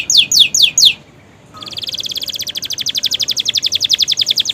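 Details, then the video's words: Caged canary in new plumage, with mimicked prinia and bar-winged prinia phrases in its song; a few loud downward-sweeping chips, a short pause, then a long fast even trill of crisp, high, ticking notes. "kenari romeo gacor isian prenjak ciblek"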